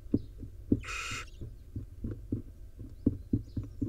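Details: Wild barn owl at the nest, a mother grooming her five owlets: one harsh, rasping hiss-screech lasting about half a second, set against steady soft thumping and rustling, with faint high chirps of other birds in the background.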